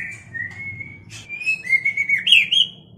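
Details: White-rumped shama song in a mating context, kept as a training recording for cage birds: long clear whistled notes, then a sharp burst and a quick series of rising, twisting whistles that climb higher toward the end.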